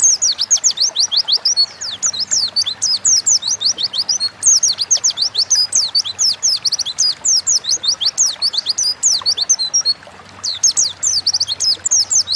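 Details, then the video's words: Nonstop lively Oriental white-eye song in 'gacor ngalas' style, crowded rapid high twittering and slurred whistles over twelve seconds, with a brief dip near the end, played to spur kept birds into singing. "Burung pleci gacor ngalas pancingan bahan agar cepat bunyi"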